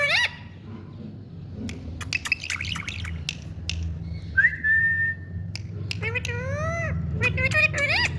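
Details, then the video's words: Indian pet parrot giving sharp clicks, a flat whistled note and curving speech-like phrases over a steady low-pitched room rumble. "Parrot Beauty🥀Bird Indian🤍Tutu Love Talk"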